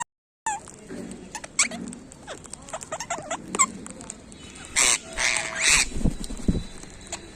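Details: Ringneck parrots calling: scattered short chirps early on, then a cluster of loud, harsh broadband screeches around the middle, with low thumps and handling noise behind.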